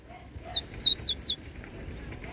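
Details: A Yellow-bellied Seedeater, out in the bush on a sunny day alongside singing Collared seedeaters, gives a brief song phrase of a few thin, high, quick notes sweeping downward, over a low murmur of outdoor background noise.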